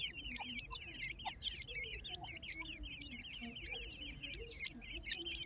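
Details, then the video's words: Many overlapping high squeaky chirps from a family of grey francolin chicks, twittering without pause above scattered soft lower notes and a steady low background hum. "teetar ke bacche"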